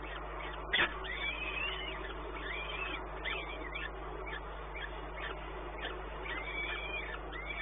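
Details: Peregrine falcon recorded in Płock, Poland, on 1 May 2019 at 12:57: a series of arched, rising-then-falling whining call notes, repeated every second or so, over a steady low electrical hum, with one sharp knock near the start.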